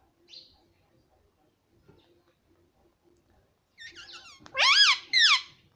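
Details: Talking parrot, near silence for almost four seconds with a few faint ticks, then a cluster of loud, harsh, stacked squawk-like syllables in three bursts at the end.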